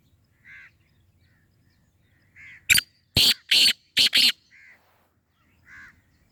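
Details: Black francolin calling: a burst of five loud, harsh, grating notes in quick rhythm, framed by softer, lower chirps from other birds before and after.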